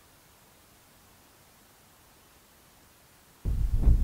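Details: A faint low hum is followed by loud low-pitched thumping and rumbling near the end, with no animal calls.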